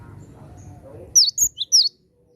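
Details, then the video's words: Cinereous tit calling wild birds, in strong voice: a brief cluster of four bright, piercing chirps sliding downward, following a stretch of low background hum. "BURUNG GELATIK BATU GACOR memanggil gelatik liar"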